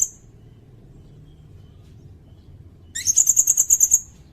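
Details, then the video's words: Sirindet song for training other songbirds: after a brief high note and a quiet pause, a rapid run of around eight sharp, very high pulsed notes in about one second. "Suara burung sirindet buat masteran bagus juga buat pikat"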